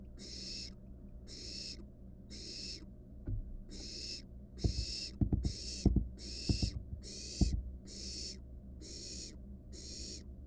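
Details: Wild barn owl nestling in a monitored nest box swallows a rat on camera. It keeps up regular breathy snore-like hisses, about twelve in ten seconds, with a cluster of knocks and scrapes midway.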